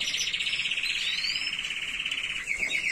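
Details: Canary tutor song for young birds: a continuous rapid rolling trill at steady pitch, then a change to a slightly different pulsed tour near the end.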